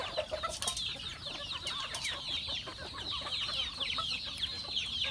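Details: Chickens on a farm during feeding time: a dense, continuous chorus of high, thin overlapping cheeps and short downward-sliding chirps from many birds, with scattered clicks and taps.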